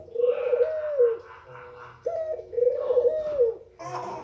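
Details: A white female Barbary dove cooing to make males amorous: two long, low, slightly rising-then-falling coos separated by a short clipped note, ending with a brief noisy rustle.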